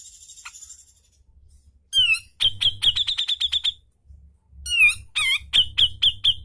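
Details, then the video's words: Grey-cheeked bulbul in full song, used as training audio for caged birds: loud, sharp, piercing notes repeated rapidly in two runs of about eight, each opened by a quick swooping slurred whistle, over a faint low hum. "Masteran Cucak Jenggot Gacorr Mbeset Ngepik Tajam"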